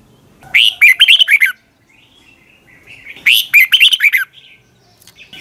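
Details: In the morning, a red-whiskered bulbul sings in the long double twisted voice style, recorded to train other bulbuls: two warbled, fluty phrases of rapid notes, linked by faint thin whistles in the pause.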